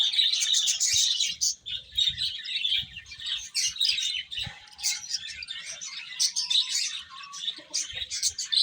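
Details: Several baby chicks eating and chirping, their high, piercing peeps tumbling over one another in quick bursts, with soft knocks of pecking below.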